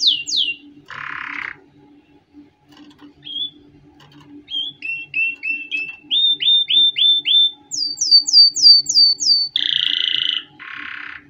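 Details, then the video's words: Canary singing for young birds to learn from. The song moves through distinct tours: quick falling sweeps, a buzzy burst, a row of short whistled notes, repeated high descending slurs, then another harsh buzzy phrase. A faint background hum runs throughout. "Canary Singing - Most Spectacular HD Video Training For Chicks"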